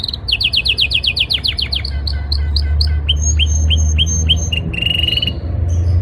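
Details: A male canary sings powerfully in breeding season to impress a female. Rapid rolling series of rising chirps give way to slower, spaced drooping notes and a sustained high trill, over a steady low hum.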